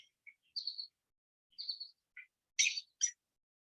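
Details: A rescued female Blue Jay imitates an American robin's alarm call, her first imitation heard: a few short, high chirped notes, then two sharper, harsher bursts close together at the end.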